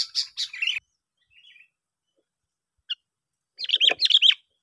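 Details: Sooty-headed bulbul trapping lure, from a chirping duel: a few sharp high chirps, a long pause with a faint note and a click, then a loud, bubbly, warbling phrase.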